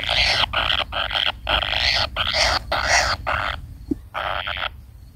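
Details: Young kingfisher waiting for a parent to return, repeating grating, buzzy rasps of roughly half a second, about two per second, with a brief pause and a soft low knock near the end.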